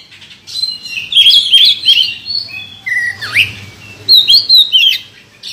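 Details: Prize-winning contest oriental magpie-robin delivering a varied song: rapid chattering whistles, one clear swooping note falling then rising, and trilled high phrases in short bursts.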